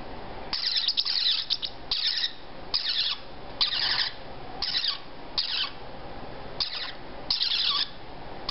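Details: Hand-raised parrotlet chicks, three to four weeks old and all female, starting to eat on their own: a run of scratchy, hissing squawks in uneven bursts, some quick and doubled, over a quiet indoor background.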